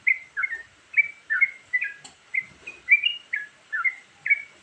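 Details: Bubbly, slurred phrases from a yellow-vented bulbul in its varied song for luring birds, with even chirps about every half second and a brief click partway through.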